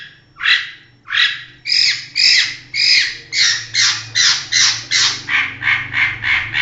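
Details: Long-tailed shrike, a champion competition bird, giving a loud series of harsh, broadband squawking notes repeated about twice per second and speeding up as it goes, with a faint low hum behind.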